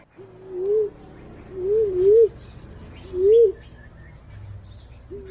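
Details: Green pigeon lure recording: three long, warbling whistles that waver upward to a peak, separated by short pauses, with the start of a fourth at the end and faint background chirps.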